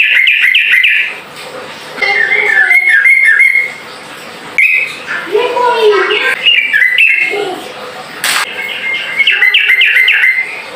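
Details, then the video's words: Sooty-headed bulbul in the ropel cucuk song style, used to call rivals to answer: bursts of quick, harmonic, chattering notes around mid-high pitch, repeated in runs with short pauses, plus a lower warbling phrase midway. "TRUCUKAN ROPEL CUCUK MEMANGGIL LAWAN IKUT BUNYI AMPUH"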